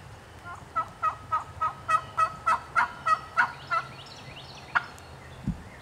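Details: Wild turkey hen, alone in Georgia turkey woods, calling back and fired up, taken as a sign hens are starting to nest; about eleven evenly spaced raspy yelps, roughly three per second, then a single sharp cluck, with faint high bird chirps behind.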